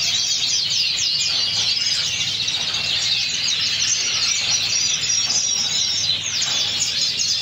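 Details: Pheao canary from Spain in full song: unbroken high-pitched warbling and fast trilled phrases, bright and busy, holding an even level from start to finish.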